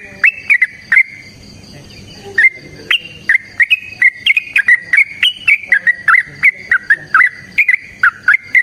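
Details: Yellow-vented bulbul (trucukan) giving a long 'ropel' fighting song, used as a lure to set other bulbuls singing: short bubbly whistled notes near the same pitch, repeated every fraction of a second, with sharp clicks between phrases.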